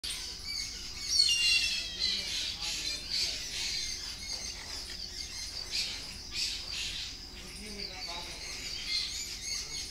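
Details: Indian grey hornbill squealing while wagging its tail back and forth, a second hornbill joining it, a koel calling in the background; shrill high squeals and chirps overlap in a busy, irregular stream throughout.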